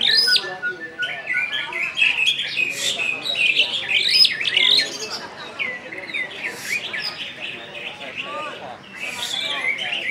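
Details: Greater green leafbird from West Kalimantan, a kept bird singing ngentrok and nembak: varied high chirps, upslurred whistles and quick twittering phrases running almost without break, louder at the start and end.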